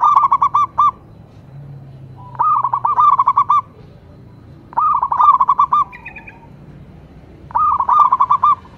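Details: Zebra dove of a local strain: four bursts of quick, mellow trilled hoots, each lasting about a second, spaced roughly every two to three seconds.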